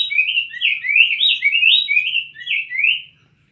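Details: Cinnamon tanager song, a steady string of sweet, slurred whistles, each phrase sliding upward, repeated rapidly for three seconds before fading out.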